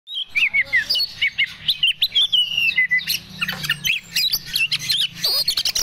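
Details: Oriental magpie-robin of the Medan type, in breeding condition (birahi), pours out a rich, varied song of quick whistled and slurred notes, chirps and short trills, with rising and falling sweeps that grow higher and busier toward the end, over a low steady hum.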